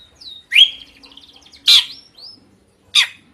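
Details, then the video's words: Lively drongo singing loudly and with variety: three strong, harsh chirps spaced about a second apart, with thin whistled slurs and soft twittering between them. "Kicauan Unik Srigunting Gacor Suara Kencang Bervariasi"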